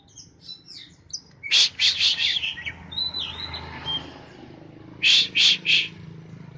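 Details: Caged Oriental magpie-robin set out in the morning sun, sunned to make it sing more. Scattered high twitters, then a burst of harsh rasping notes, a few thin whistled slurs, and three more loud rasps near the end.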